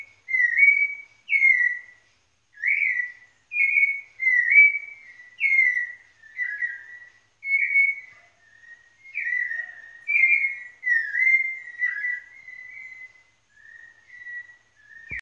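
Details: White-necked thrush (sabiá-coleira) singing in Pernambuco: clear whistled phrases, each a short slurred rise or fall, delivered at a moderate unhurried pace with brief gaps, fading slightly toward the end; quiet background.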